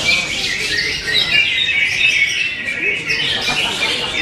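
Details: A greater green leafbird pours out a rapid warbling stream of bright, twittering and whistled phrases, high-pitched and unbroken, rising and falling in quick runs.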